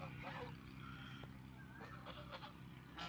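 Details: Ducks eating food and drinking water, giving harsh, honking calls with several nasal notes stacked through the clip over a steady low background hum.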